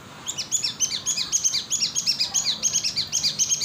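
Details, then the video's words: Cinereous tit recorded in Indonesia as a lure: a steady, fast string of high, clipped chirping notes, about four per second, continuing throughout. "Pancingan Suara pikat Burung gelatik batu"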